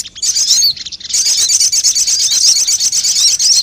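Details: Crested jay call played as a bird lure: a few sharp high chirps, a short gap, then a long, continuous shrill rattling trill of quick, rough pulses.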